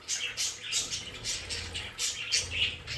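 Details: Pet budgerigars in their home play area give rapid, scratchy chirps and short noisy bursts, several each second, with small tonal squeaks between them.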